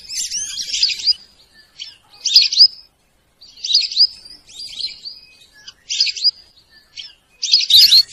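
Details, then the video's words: Call of the Sarail bird, a series of shrill chirping bursts, each under a second, spaced irregularly with quiet gaps, ending in a louder, fuller burst. "সরাইল পাখির ডাক।Sorail pakhir dak"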